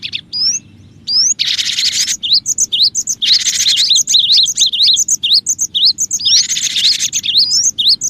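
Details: Energetic cinereous tit recording used for luring other birds: zigzag whistled notes repeated about twice a second, interrupted by several harsh buzzy bursts.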